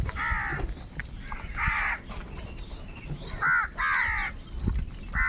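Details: Many crows gathered around food call harshly; separate coarse caws of about half a second ring out, some louder and closer, spaced irregularly with brief gaps.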